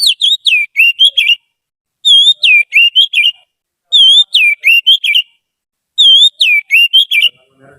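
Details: A trained Oriental magpie-robin serving as a tutor repeats one fixed whistled phrase four times, about every two seconds. It opens on a warbled note, followed by falling slurs and short chips.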